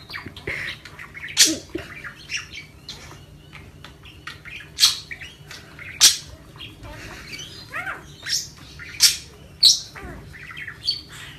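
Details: A male parakeet chatters in quick bursts of high, scratchy chirps and sharp squawks while playing with a tennis ball, with brief pauses between bursts and a faint steady hum behind.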